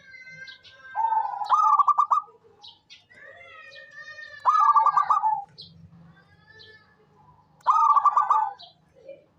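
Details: Three cooing phrases from a local zebra dove, each a soft coo running into a quick stuttering trill, spaced about three seconds apart, with thin whistles and chirps from other birds behind.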